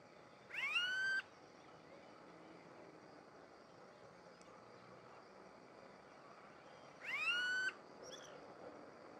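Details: A smooth-billed ani gives two whining, upslurred, cat-like calls about six seconds apart over a steady high insect hum, at Barão Geraldo, Campinas, São Paulo, Brazil, on 6 January 2015 at 18:51.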